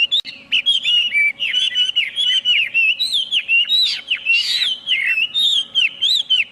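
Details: Chinese hwamei pouring out a continuous, varied warble of bright slurred whistles and twisting notes, almost without pause, with a few scratchy accents in the middle of the stream.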